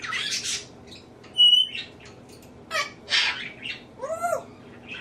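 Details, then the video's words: Pet male African grey parrot indoors, mimicking household sneezes, laughter, burping and nose blowing: hissy noisy bursts, a short pure whistle, then a pair of arching tonal squawks. "African Grey Parrot talking sneezing blowing nose"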